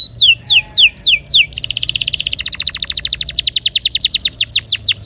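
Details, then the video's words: Canary in vigorous rolling song for prompting quiet canaries: a few loud descending whistles give way to a rapid, steady roll of pulsed notes that slows into swooping slurs. "Pancingan suara burung kenari gacor ngeroll..!! cocok untuk kenari macet agar mau bunyi"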